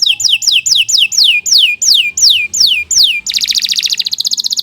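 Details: Canary (kenari) song used to train young birds; a series of clear downward-sweeping whistles about three per second, then a dense rapid buzzy trill.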